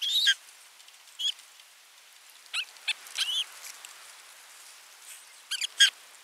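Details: Osprey at nest 3, 27 June 2022, after bringing a fish and watching the feeding: irregular shrill whistled chirps, some in quick doublets, louder at the start and end.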